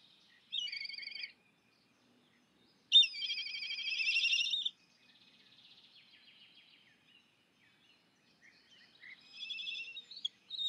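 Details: Repeated begging calls of a black kite: quavering, vibrating trills, the longest nearly two seconds, separated by pauses and a soft buzzy stretch, with quiet background.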